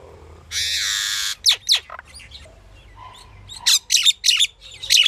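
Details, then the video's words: Varied pied myna sounds: a long harsh rasping screech, two sharp downslurred notes, soft chatter, then a rapid series of loud grating squawks. "Pied Myna bird's variety of calls and sounds"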